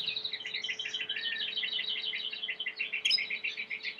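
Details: Belgian canary song heard faintly: a quick chattering warble of short repeated notes over a steady low hum and background hiss.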